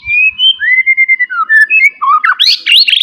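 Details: Wild forest white-rumped shama in loud provoking song: long varied run of clear whistles, level and slurred notes, building into rapid, high twisting phrases at the end.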